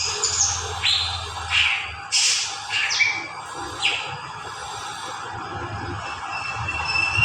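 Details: Greater green leafbird, locally called cak ijo, giving a loose series of bright, varied notes: slurred sweeps and high whistles spaced irregularly about a second apart, with a steady low hum and background hiss underneath.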